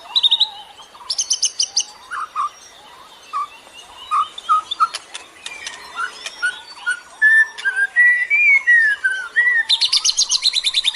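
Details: Bird song meant to lure other birds: scattered mid-pitched whistled notes and chirps, a brief rising warble, and buzzy rattling bursts at the start and end.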